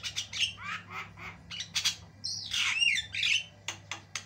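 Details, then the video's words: Javan myna with white eyes, very vocal, from a tutor recording of long varied song: rough squawks and gurgling notes, then a loud drawn-out buzzy wheeze with slurred whistles, ending in scattered sharp chips, low hum throughout. "JALAK KEBO MATA PUTIH GACOR PARAH"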